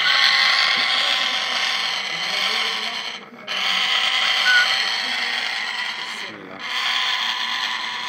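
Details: Pet African grey parrot, six months old, screaming whenever people approach or pass by: loud, harsh, sustained rasping screeches, broken by two brief pauses, filling the whole recording indoors.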